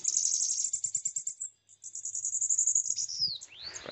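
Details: Tame bananaquit, locally called sibite, singing from its owner's hand: rapid, sizzling high trill, a short pause, then a second buzzy run ending in several sharp descending slurred notes, over a faint low hum.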